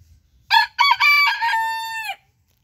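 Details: Sabelpoot rooster crowing once, under two seconds: two short harsh opening notes, then a long held note that fades at the end.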